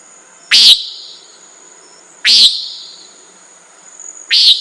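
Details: Common nighthawk calling three times, loud nasal buzzy notes about two seconds apart, over a soft high insect drone.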